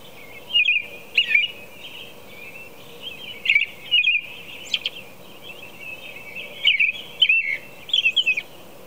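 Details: American robin song recorded at 4 a.m., repeated caroling phrases in loose clusters, some slurred downward, with occasional high squeaky notes; pauses of one to two seconds between clusters; soft background hum.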